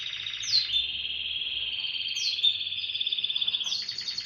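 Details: Morning song of a canary, a continuous high rolling trill held for seconds, broken by brief rising whistled notes and ending in a fast pulsed stutter.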